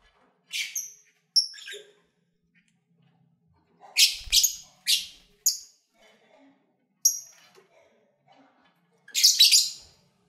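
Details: Pet lovebirds in February 2019, while eating, singing and playing, give scattered shrill chirps and short thin whistles, several in a quick cluster midway, ending in a raspy chattering burst.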